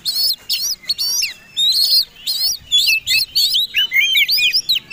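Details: Fighting Oriental magpie-robin's lure song for provoking other birds: repeated buzzy chattering bursts about twice a second, shifting into a rapid run of looping whistled notes.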